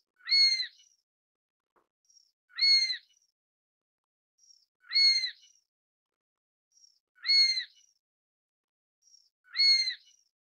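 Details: Chinese sparrowhawk (Accipiter soloensis) giving loud, shrill, slightly upslurred calls, each preceded by a faint short note, repeated about every two and a quarter seconds; five calls in a quiet setting with no other sounds.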